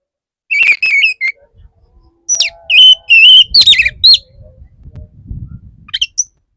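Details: Male Oriental magpie-robin singing to court a female: rapid sequences of loud, clear whistles, some wavering and some dropping, packed into quick bursts, then a pause with soft low rustling and a final short whistle.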